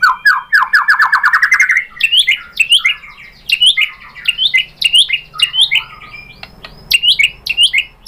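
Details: White-rumped shama song played as a provoking lure: opens with a fast rattling trill of rising notes, followed by repeated bright whistled phrases with sharp downward sweeps, about two per second.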